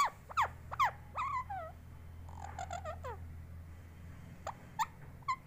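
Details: Pet parrot, said to be talking, starts with loud downward squeaks and a wavering note, then softer warbled sounds and occasional sharp chirps, with a low hum throughout.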